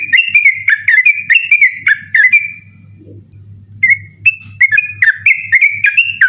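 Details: Sooty-headed bulbul in persistent ropel song after dark, recorded for training other birds for night contests; rapid chains of whistled notes, a short pause, then the chain resumes, faint low hum throughout.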